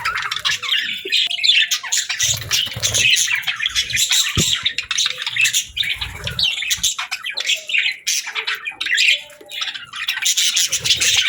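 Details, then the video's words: Pet budgerigars chirping in a happy, calming setting: dense, continuous high-pitched twittering and warbling with rapid scratchy chirps and short squawks, overlapping without pause throughout, with a faint low hum beneath. "Budgie Chirps & Sounds"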